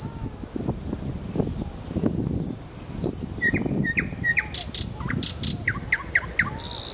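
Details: Nightingale singing in Kuzminsky forest park: scattered high whistled notes and short rising chirps over a steady low rumble of background noise.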